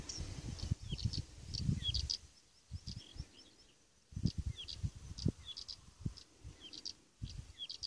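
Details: Blyth's reed warbler singing at Svensksundsviken, Sweden, on 27 June 2015: short high chirps and buzzy notes in loose bursts with brief gaps, over heavy low rumbling wind noise.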